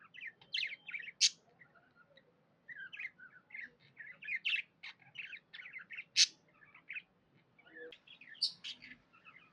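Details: Cheerful pet budgie twittering steadily in short scratchy and whistled notes, punctuated by several piercing high clicks spaced a few seconds apart.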